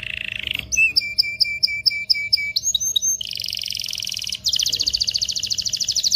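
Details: Excited canary singing to prepare males and females for mating: a high buzzy tone, then a series of clipped whistled notes in a steady beat, shifting into dense rolling trills and a very rapid rattling trill.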